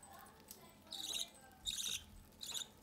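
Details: A budgerigar pair feeds one of their chicks at the nest entrance; three short, harsh, raspy begging bursts sound about half a second apart over a quiet indoor background.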